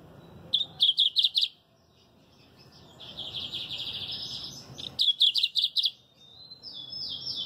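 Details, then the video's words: Lined Seedeater delivering loud, sharp chipping notes in quick groups of four or five, separated by a buzzy, rapid trill, then closing with high descending slurred notes. "Canto número 13, Bigodinho."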